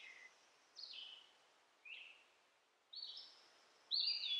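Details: Hand-raised baby sunbird found in a backyard, fed orange and mealworms; five short, sharp squeaky chirps about one second apart, some dropping in pitch, the last the loudest.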